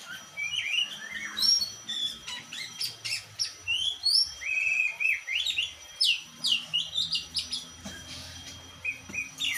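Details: Oriental magpie-robin of the black-and-white form: lively song of rapid whistles, upslurs and buzzy notes in frequent short bursts, with background hiss and a faint steady tone.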